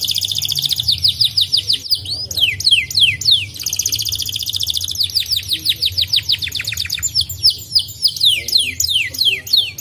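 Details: White canary singing, a recording played to fire up other canaries and make them sing: long runs of fast downslurred whistles and rolling trills, with repeated sweeping notes around two to eight kilohertz, under a faint low hum.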